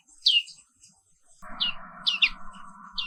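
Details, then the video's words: Black-capped white-eye giving a few sharp, high chirps of its morning song; a loud droning hum takes over from the middle of the recording. "Suara Terapi Pagi Pleci Papua Wiklus | Auto Aktif & Ngerol Terus"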